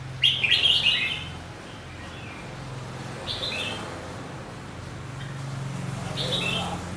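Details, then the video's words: A caged red-whiskered bulbul gives short, bright warbled phrases every few seconds over a low steady hum. It sings continuously from morning to afternoon once the cage cover is opened. "Chào mào siêu mỏ- bao hót liên tục từ sáng đến chiều"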